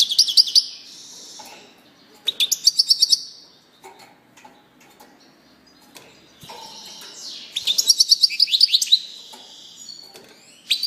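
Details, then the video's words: European goldfinch giving scattered bursts of high twittering notes separated by quiet gaps, ending in a longer run of quick, rhythmic chirps. "singing canary chardonneret song saka kuşu sesi"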